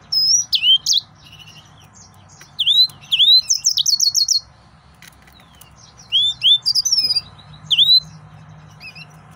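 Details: Lively male yellow-fronted canary song in repeated bursts of high slurred whistles and quick chattering trills, several phrases broken by short gaps, a low steady hum in the background.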